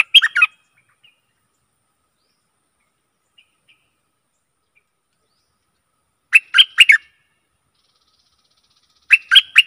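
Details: Decoy song of a stripe-throated bulbul for aggressive wild birds: three separate bubbly phrases of three to four rich warbled notes, spaced by roughly three-second silences.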